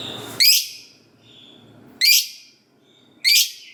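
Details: Lovebird played to prompt other lovebirds to answer and sing: three sharp, piercing, high shrieks, each short and harsh, spaced about one to one and a half seconds apart, with faint soft chatter between.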